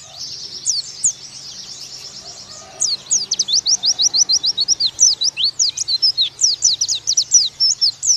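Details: Oriental white-eye, a Bakalan type, singing in a loud rapid outburst: high, thin, sweeping whistled notes repeated several times a second, beginning after a softer twittering start.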